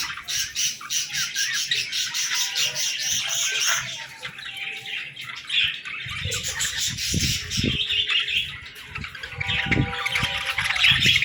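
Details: Baby budgies chirping and singing at play: steady dense twittering chatter throughout, with low knocking and tapping sounds, likely from toys, in the second half.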